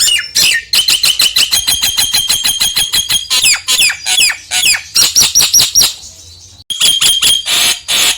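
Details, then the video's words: Loud, rapid Nias hill myna song, played to coax a lazy myna into singing: a fast run of sharp ringing notes, then swooping whistles and buzzy bursts after a brief pause. "PANCINGAN JALAK NIAS YANG MALAS BUNYI"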